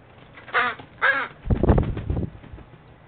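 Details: A captive Northwestern crow holds down a cord to lift a treat ball in a string task, giving two harsh, nasal squawks about half a second apart during a tail-pull, then low thumping and rustling noises.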